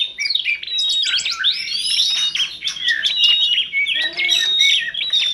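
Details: Masteran compilation bird song from kacer, tledekan gunung and prenjak. A rich, warbling sequence of looping whistles, fast trills and chirps flows continuously, ending in clearer, more drawn-out whistled notes.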